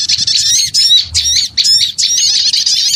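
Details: Noisy small-bird lure chatter, with high squeaks and twitters coming in pulsing bursts about two to three per second, several birds calling over one another.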